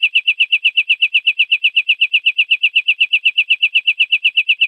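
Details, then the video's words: Greenfinch in the 'larguero' long-trill style, recorded in 2021 as a model for teaching young greenfinches: fast, even, metallic chirps repeated at a constant pitch throughout, in an otherwise silent background. "verderón larguero"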